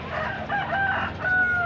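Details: A rooster, one of the chickens kept on a farm, crows beside a home-grown organic white glutinous corn field in Thailand: drawn-out, wavering notes broken into two held phrases over a steady rush of outdoor noise.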